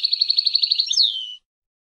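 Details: Palestinian European goldfinch song: a quick run of about twelve evenly spaced twittering notes lasting one second, closing with a high slurred downward whistle that trails off; no other sounds.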